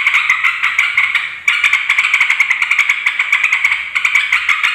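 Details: Yellow-vented bulbul giving its noisy 'ribut' call, used as a lure to provoke other bulbuls into answering; dense, continuous harsh rattling chatter with rapid scratchy notes and a brief break near the middle.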